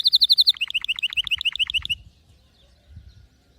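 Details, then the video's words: Canary singing in a style called Lasskot: a fast roll of bright rising notes, then about nine sharp down-swept notes in quick succession before the song stops, leaving faint low rumbling. "غناء كناري لاسكوت ،لن يصمت كناريك عند سماع هذا الوحش Canary Bird singing"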